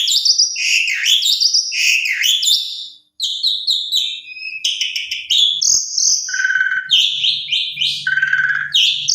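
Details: Asian pied starling song used as a lure to make other starlings answer: loud, varied whistled phrases, rising and falling slurs and chattering notes in quick succession, with a short pause near three seconds.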